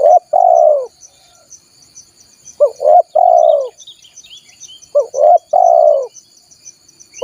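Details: Spotted dove lure call for attracting wild doves: three phrases, each a short rising note then a long, steady, hollow coo that falls at the end, about every 2.5 seconds, over a faint high insect hum.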